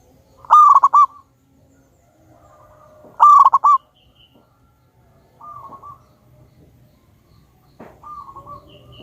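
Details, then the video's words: Lure recording of a loud, highly vocal local wild-type zebra dove (perkutut). Two strong phrases of rapid rolling coo notes come about two and a half seconds apart, each followed by a fainter answering coo. "Pancingan burung perkutut Lokal Alam super Gacor suara Besar"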